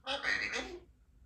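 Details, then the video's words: Symon, a 3-year-old female Congo African grey parrot, utters a single short word-like phrase in a clear, speech-like voice, lasting under a second, in a quiet indoor room while being coaxed toward a pool. "African Grey Talking Baby Parrot"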